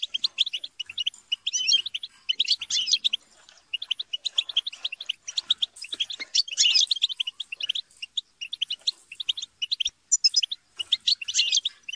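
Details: European goldfinch flock chatter and squabbles, kept birds, meant to encourage singing: long stretches of fast, liquid twittering with overlapping voices and scattered louder buzzy bursts.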